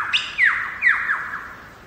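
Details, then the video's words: Lyrebird singing wild in Megalong Valley, Blue Mountains, Australia; a few loud, clear downward-sliding whistles in quick succession, fading into a quiet background. "Lyrebird song"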